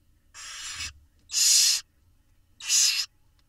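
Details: Israeli nest-camera recording of Barn owl chicks begging during feeding by their parents: three loud breathy screeches in quick succession, the first quieter, the last two stronger.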